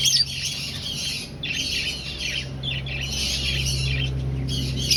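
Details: Finch colony kept in an aviary during breeding, birds seeking nests: bursts of many overlapping high, scratchy chirps and squawks in waves, over a constant low electrical-sounding hum.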